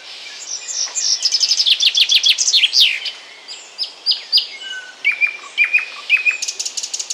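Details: A common chaffinch sings in Bryansk, Russia: a bright, fast run of notes tumbling downward to a flourish, followed by sharper chips and short calls from other birds.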